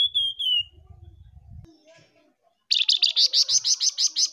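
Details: Male and female flamboyan bird tembakan calls, used as a lure. A short falling whistled phrase opens, followed by low rumbling noise and a pause. Then comes a rapid run of about eleven harsh, buzzy high notes.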